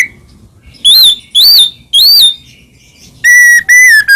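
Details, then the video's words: White-rumped shama singing as a lure for other shamas: three clear, high, arched whistles spaced half a second apart, then two longer, steady, lower whistles and a short final note. "murai batu gacor AMPUH buat PANCINGAN murai batu agar bunyi JADIKAN burung murai gacor EMOSI"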